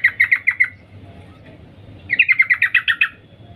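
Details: Two quick chattering bursts of evenly spaced notes from a female yellow-vented bulbul calling the male, the second burst slightly rising in pitch, with a low hum underneath.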